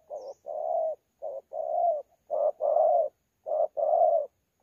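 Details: Spotted dove, wild-caught, delivering 'thổ pha' style contest cooing at Sa Thầy, 26 November 2019. Mellow low coos alternate between brief clipped notes and longer sustained ones, in four paired phrases, with a faint high squeak at the start.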